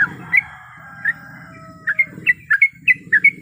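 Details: A sooty-headed bulbul female in breeding condition calling the male: a few scattered chirps, then a quicker cluster of bright notes, with a low hum throughout.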